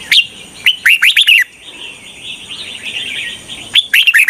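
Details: Red-whiskered bulbul used as a decoy to lure wild bulbuls for trapping: bursts of sharp, bright, rising whistled notes open and close the clip, with a softer continuous warbling chatter between them and a faint steady high hum throughout.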